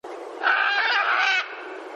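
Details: Macaws calling: one harsh, raspy squawk lasting about a second, broad and grating with a steady, loud body, set against a faint background hiss.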